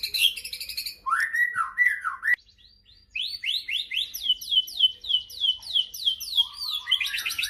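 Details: White-rumped shama singing to provoke other shamas into song: harsh chatters and looping whistled slurs, a one-second pause, then a rapid series of repeated upslurred whistles about four per second ending in buzzy trills.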